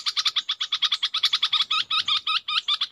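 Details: Red-whiskered bulbul decoy bird uttering rapid chirping notes that change partway into slower, rolling doubled phrases. Soft background rustle.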